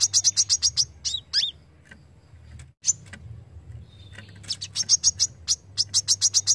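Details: Kolibri kelapa, the brown-throated sunbird, in 'besetan' style for songbird training: shrill rapid chips opening and closing the passage, with a few looping slurs and a quieter gap in between.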